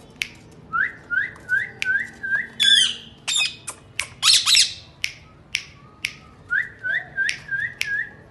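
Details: Pet rose-ringed parakeet speaking Urdu indoors: a string of short rising-falling chattered syllables about every half second, broken by sharp clicks and a rough squawky burst, then more repeated chatter.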